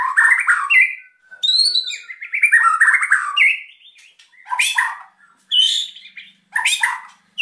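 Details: Kept white-rumped shama delivering emotional, lively song meant to draw quiet birds into singing: varied whistles, a long thin steady note, scratchy chatter and sharp bursts separated by short gaps.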